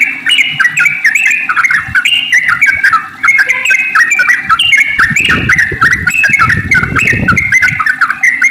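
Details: Dense, fast chattering song of a yellow-vented bulbul, a nonstop tumble of bright warbled notes used to stimulate other bulbuls to sing; a burst of low rumbling noise sounds midway.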